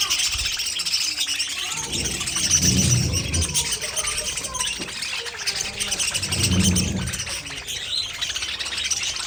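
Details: Budgerigars chirping and warbling together in a constant high chatter, interrupted twice by low rumbling thuds of handling or movement nearby.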